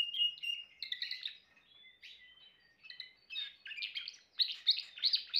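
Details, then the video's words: Timbrado canary song opening with soft whistled notes and brief pauses, then building into faster, louder chirping trills toward the end. "chant canari timbrado"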